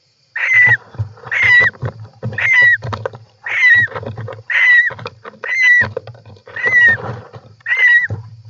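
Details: European roller calls from inside a nest box on 18 July 2024: harsh, rasping notes, each with a bright whistled edge that dips at the end, repeated about once a second in a steady run, with low scratching and shuffling between calls.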